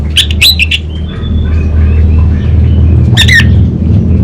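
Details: Caged orange-headed thrush from Singaraja, North Bali, in energetic song: a quick cluster of rasping, squawky notes, then faint thin whistles, then a loud wavering burst, all over a constant deep droning hum.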